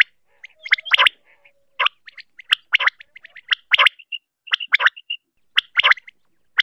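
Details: Female common quail giving rasping, twittering bursts of notes, about one burst per second, mixed with short thin chirps between them.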